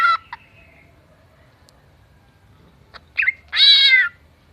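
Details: Greater green leafbird mimicking a cat and a chicken: a few short clipped notes, a long pause, quick chirps, then a sustained harmonic meow-like wail.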